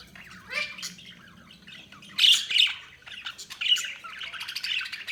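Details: Budgerigars chirping: scratchy, squawky chirps and chatter in short bursts, with a louder cluster of harsh notes midway and more rapid chatter toward the end, over a faint low hum.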